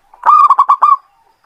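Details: Local zebra dove, kept to lure other birds, giving one cooing phrase: a soft lead-in note, then five quick mellow pulsed coos, the last drawn out and fading.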